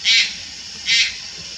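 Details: Two loud, hoarse, breathy rasps from a juvenile Malayan night heron, almost a second apart. Recorded at Lugu, Taiwan, in August 2022 over a faint steady insect hum.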